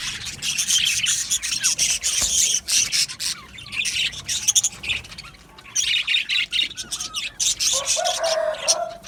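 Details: Aviary colony of budgerigars giving bursts of bright, rapid chirps and squawky twitters in waves that stop briefly between surges; a lower, harsher call rises near the end.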